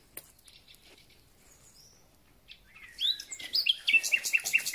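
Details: At the start of spring a thrush nightingale sings, the bird not clearly seen: after a near-quiet opening with faint distant notes, loud varied phrases of chirps, slurred whistles and rapid ticking notes.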